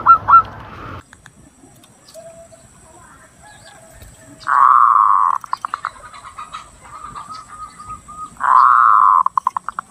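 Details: Lampung zebra dove singing for a lure and tutoring recording that stimulates breeding: a long rolling purr followed by a string of quick clipped notes, the phrase repeated about every four seconds, with a faint steady high hiss.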